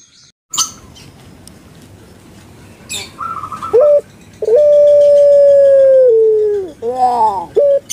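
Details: Kept puter pelung dove, a Barbary dove type famous in Java, Indonesia: after scattered short notes, a clear long drawn-out flat coo that sags lower at its end, then a rough broken phrase, with faint background clatter.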